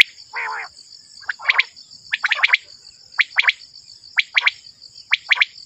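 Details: Quail calls used as a hunting lure: after one longer note, short sharp notes come in clusters of two or three, roughly once per second, over a steady high-pitched whine.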